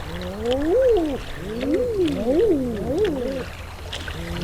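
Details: A flock of adolescent and non-breeding Common Eiders on a sandbar on the Tay, Britain, gives overlapping crooning 'ah-ooo' calls that swoop up then fall, carried across the wind, with steady wind rumble underneath.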